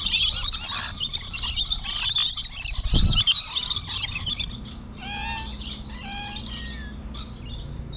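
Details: In early morning in the Lorikeet Forest aviary, lorikeets fill the air with dense, shrill screeching chatter that thins after a few seconds into scattered high chirps and short whistles.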